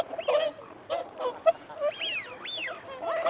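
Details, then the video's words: Short nasal honks from whooper swans feeding and defending territory, spaced and uneven, then two clear rising-and-falling wigeon whistles, among a flock that includes mute swans. "Whooper Swan. Feeding Calls & Territorial Calls"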